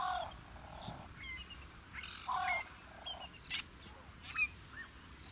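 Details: Fork-tailed drongo in natural habitat in Africa, giving a varied series of short notes: harsh buzzy bursts mixed with thin whistled slurs, some rising, spaced irregularly across five seconds over a steady background hiss.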